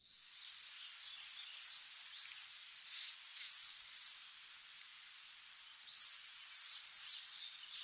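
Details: Anna's Hummingbird in Sonoma County, in the context of the male's diving display at a female: very high, scratchy, buzzy phrases in bursts of one to two seconds, with short pauses between them.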